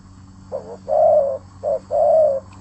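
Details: Spotted dove in active song. Two low cooing phrases, each a short soft note followed by a longer, louder, level coo, over a faint steady low hum.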